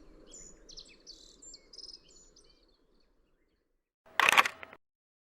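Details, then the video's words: Middendorff's grasshopper warbler sings a quick run of high, buzzy, chattering notes that fade out. After a short silence comes a loud, sharp mechanical burst. "シマセンニュウのさえずり Chirping of Middendorff’s Grasshopper Warbler"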